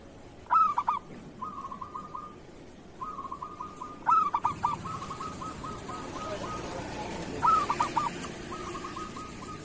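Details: ['Local zebra dove singing, for use as a training song for other doves. Three full songs are heard, each a loud stuttered opening followed by soft rapid trills, repeated roughly every three to four seconds. There is some background rustle.']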